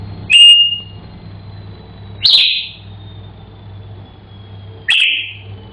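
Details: Singing African grey parrot indoors as a pet: three short, high whistled notes, each dropping slightly, roughly two to three seconds apart, with quiet hum between them.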